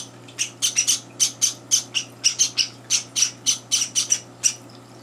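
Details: Begging Java sparrow chicks, three days after arriving in a home, at a chaotic morning feeding joined by older birds; bright high chirps, sometimes doubled, repeated quickly and unevenly across the whole stretch, with faint room hum.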